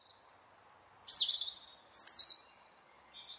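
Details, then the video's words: A robin sings thin, high phrases: a long whistle, then two bright bursts that slide steeply downward, with a soft rustling hush behind. "Robin singing"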